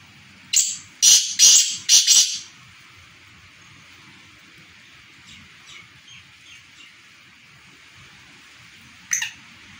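A black francolin gives a quick burst of four loud, harsh, grating notes, then a few faint scratchy notes and one final rasp.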